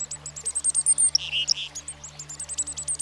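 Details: Quick series of high, thin chipping notes broken by a pair of lower buzzy notes from a Black-capped Chickadee, a common American backyard bird, with soft low background tones.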